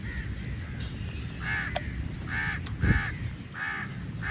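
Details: Crows feeding together give five harsh, nasal caws, spaced roughly every second in the second half, over a steady low rumble of background noise.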